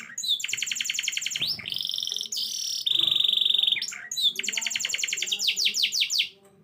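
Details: Canary singing eagerly with a low roll: fast high trills, a long steady buzzing roll held for about two seconds, then rapid repeated falling notes before the phrase ends.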